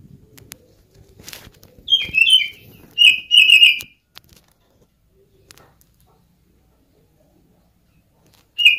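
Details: Oriental magpie-robin (kacer) lure song, said to sound like a cat and used to make other birds sing: rapid clusters of sharp whistled and slurred notes in two bursts, then silence and one final whistle.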